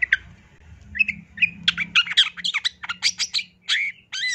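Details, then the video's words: Long-tailed shrike (cendet) singing gacor in the masteran style, full of isian fill phrases: brisk run of short chirps and harsh notes, sparse at first, then crowding into a rapid burst ending in a longer buzzy note; faint low hum beneath. "Kicauan Cendet No #1❗SUARA Masteran Cendet Gacor FULL ISIAN JOS"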